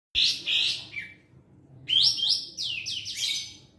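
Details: Sooty-headed bulbul singing energetically: bright whistled phrases around 2–5k, a loud burst, a pause, then a rising run of slurred notes.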